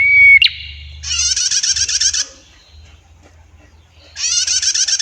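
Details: Female prinia lure recording: a bright whistle and a sharp flick, then two long, harsh, rapidly pulsing trills separated by a quiet gap.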